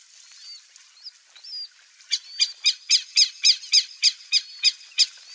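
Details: Least grebe (Tachybaptus dominicus) in flooded Pantanal region calling: a quick run of high, nasal, ringing notes, about four per second, preceded by faint thin slurred whistles.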